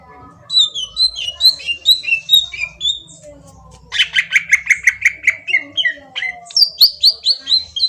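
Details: Green leafbird song as a lure to draw a reply: quick chirping whistled phrases, then a rapid burst of harsh repeated chips, and a closing series of high repeated whistled notes.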